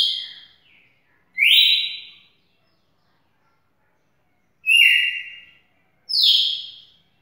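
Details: Champion red-cowled cardinal singing loud, clear whistled phrases, each a bright sustained note with a slight downward slur, given in three bursts spaced one to three seconds apart in otherwise quiet surroundings.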